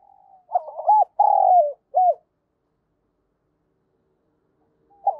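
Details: Spotted dove calling as a decoy to lure others, in the 'thổ' voice style. A full coo phrase with a long falling middle note and a short end note, a silent gap, then the next phrase starting.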